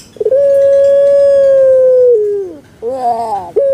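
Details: Puter pelung, a Barbary dove kept as a pet in Indonesia, gives a single long steady coo lasting about two seconds that drops lower before ending, then a short rough wavering phrase and a brief final note.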